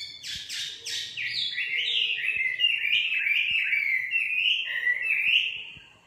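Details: Common nightingale (Luscinia megarhynchos), song.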